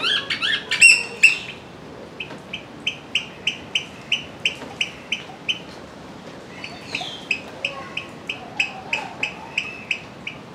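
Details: Eurasian oystercatcher (Haematopus ostralegus) at Ueno Zoo, Tokyo, on a rainy July 2020 day, giving a long run of shrill, piping calls repeated a few times each second.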